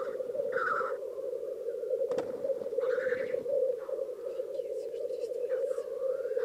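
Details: Displaying black grouse at a lek in Krasny Bor, Russia, with hens present: an unbroken low bubbling murmur, overlaid by several loud hissing whooshes and a sharp click.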